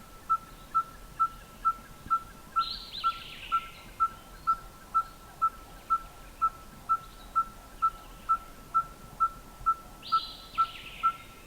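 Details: Red-fronted tinkerbird calling with its beak closed and its throat inflating: a steady series of short, hollow, metallic tinks, like a hammer on an anvil, about two per second. Brief higher buzzy calls from other birds sound in the background.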